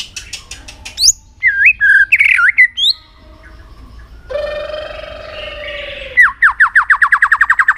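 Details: White-rumped shama singing, for voice training and stirring birds to sing in contests: rapid clicks, looping whistled phrases, a drawn-out buzzy note, then a fast run of repeated rising chirps.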